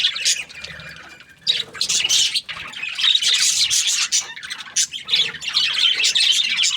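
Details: Budgerigars warbling and chirping as a flock: a soft start, then a sudden loud, jumbled flow of quick high squeaks and chattering notes that keeps going to the end.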